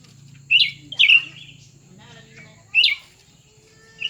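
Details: Two cucak ranting birds, one new and one old, pitted against each other in a contest; short bright warbled phrases sounding at about 0.5, 1 and 2.8 seconds, each a quick twisting burst, with a low steady hum underneath.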